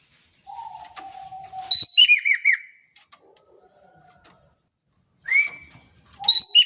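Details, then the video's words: Vigorously calling Javan kingfisher from Indonesia: a harsh rasping burst running into four arched, descending notes, with a rising call about three seconds later and a low steady whistle before the main phrase. "EKEK KELING GACOR DAHSYAT"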